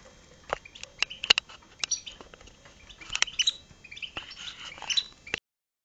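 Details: Hybrid of European goldfinch and red siskin singing: quick bursts of high chirps and twittering notes with short buzzy phrases, broken by brief pauses, over a quiet background.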